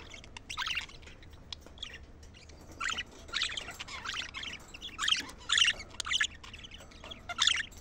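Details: Budgerigar chatter played to excite the birds and stimulate females to mate: scattered short harsh squawks and chirps, some mid-pitched warbling notes, in irregular bursts.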